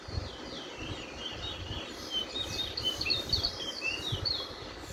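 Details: A Lesser Seed Finch (bullfinch) sings the Guyanese-type roll: a steady, high, warbled roll of quick slurred notes with more drawl and no 'wheat' note, over background noise and other small caged birds.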